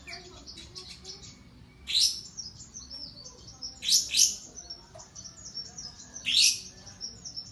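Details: Lovebird at a singing contest: soft, sparse high twitters broken by three loud, sweeping, bright note bursts about two seconds apart.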